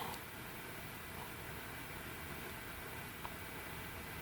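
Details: Faint steady hiss like a fan or distant traffic, with one tiny click and no animal voices.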